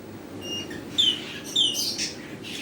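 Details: Rainbow lorikeet giving shrill, high screeches: a faint note early on, then two sharp, downward-sliding squeals about half a second apart, followed by harsher broadband rasps over steady low background hum.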